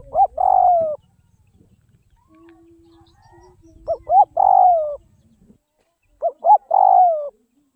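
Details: Spotted dove from the Tây Bắc (Northwest) region, fed for taming: three coo phrases at roughly three-second intervals, each made of short rising notes and a long falling coo, over light rustling, low handling noise and a brief steady hum.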